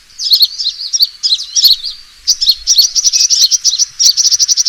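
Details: Sunbird fighting call for luring: squeaky, slurred high notes at first, then a short pause and a fast, even string of sharp chirps.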